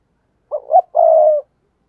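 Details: Spotted dove cooing to lure wild doves: one phrase of two clipped throaty notes leading into a long, smooth, slightly descending coo.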